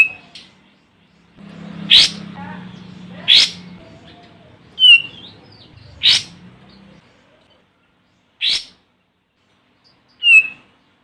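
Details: Olive-winged bulbul calling a rival, as a lure recording: sharp harsh chacks and short whistled notes, spaced one to two seconds apart, over a low steady hum in the first half.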